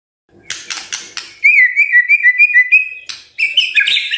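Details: Morning lure song of a white-rumped shama to prompt silent birds: a few sharp chips, then a rapid series of evenly repeated short whistles, ending in a bright trilled phrase.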